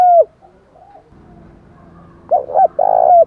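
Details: Spotted dove stimulating coo, meant to prompt doves to start cooing quickly: a single clear falling coo note, a long quiet gap with faint low hum, then a short burst of three mellow, throaty coo notes at the end.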